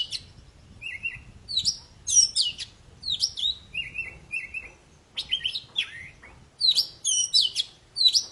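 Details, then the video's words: Poci (Oriental magpie-robin) in strong song, played to get stalled birds singing: bright, quick whistled phrases mixed with lower, flat repeated whistles and sharp chips, in uneven bursts. "Suara burung poci super gacor"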